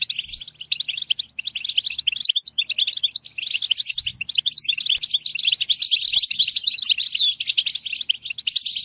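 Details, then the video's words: European goldfinch in full song, a long continuous run of fast twittering and tinkling notes with buzzy, nasal elements, growing denser and more excited toward the middle, with a faint low hum underneath. "Comprehensive guide to stimulating and singing the goldfinch"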